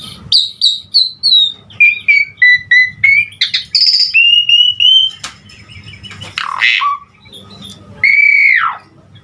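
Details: Asian pied starling song, a lively full song used to prompt other starlings to sing: clear whistled notes falling in steps, short repeated chirps, buzzy bursts and a long slurred whistle near the end.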